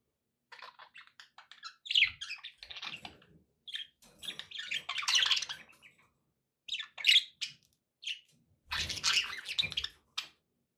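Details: Pet budgerigars chirping and chattering: quick sequences of bright, buzzy warbled notes and squawks in bursts roughly every two seconds, separated by short silences.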